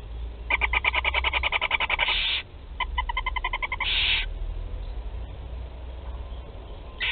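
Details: Barn owl chicks at Théding, France, first feeding on 8 July 2020: a fast train of clicking, chittering notes running into a long hissing screech, repeated twice.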